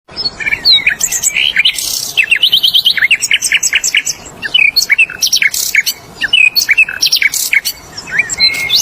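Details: Wild flycatcher singing in its natural habitat: varied high chirps, short rising whistles and rapid trilled bursts, delivered in irregular phrases with brief pauses between them.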